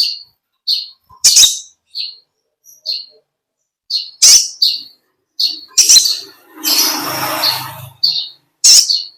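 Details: Olive-backed sunbird, called kolibri ninja, singing in a natural long ngekek style: sharp, very high chirps and short bursts come in quick clusters with brief silent gaps, and one longer hissing, rustling burst in the middle.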